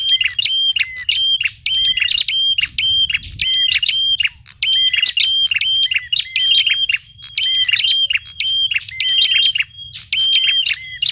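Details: Noisy mix of small birds used as a trapping lure: high, sharp chirps and clear whistles in quick repeated bursts, nearly continuous, over faint low background hum.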